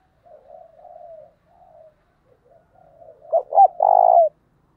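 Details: Spotted dove, 'thổ' voice style, calling to lure wild birds: soft wavering coos lead into a loud phrase of two short notes and a long, buzzy, falling final note.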